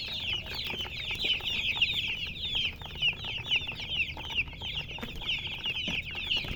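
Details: Colored chickens with a continuous stream of thin, high chirps, about two a second standing out from an unbroken chorus of overlapping peeps.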